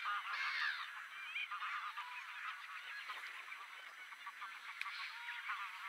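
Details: Mediterranean gulls at Polders Poelgeest, the Netherlands, on 23 March 2024: many nasal, wavering calls overlapping in a busy chorus, several each second, with a few clearer drawn-out cries standing out.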